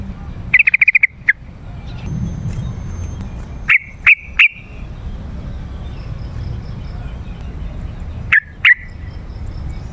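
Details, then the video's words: Yellow-vented bulbul used as a lure to call wild birds in forest or garden: a quick run of sharp chattering notes, then a few short separated bursts of clear notes, over a steady low background hum. "Suara Trucukan Pemikat gacor"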